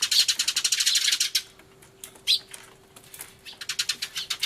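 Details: Loud sparrow commotion filmed 24 March 2013 on a camcorder, a turtledove among them; a fast, even volley of piercing chirps, a lull with a single sharp note, then chirping picks up again.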